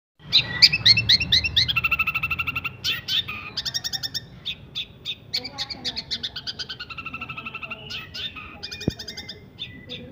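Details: Long-tailed shrike singing in the fast, dense 'nyeklek' style, a tutor recording for songbird training: loud, rapid runs of sharp high chirps and trills repeated about twice a second, with brief buzzy and whistled phrases in between.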